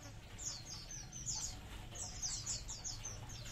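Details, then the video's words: Colony of munias calling together: a stream of short, high, thin chirps, each sliding downward, in overlapping bursts with a brief lull near the middle, over a steady low background rumble. "COLONI BURUNG EMPRIT"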